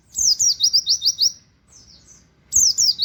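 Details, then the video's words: Pleci, a buxtoni white-eye, firing off canary-style 'wit wit' mimicry: rapid strings of sharp, high downslurred chirps, a short pause with faint notes, then another fast run of bright descending whistles. "pleci nembak wit wit kenari"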